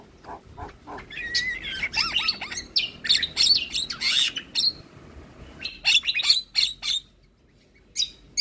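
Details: Javan myna lure song packed with imitations, meant to prompt other mynas to reply: a long rising whistle, then dense buzzy squawks and chirps, a pause, and more bursts of harsh notes.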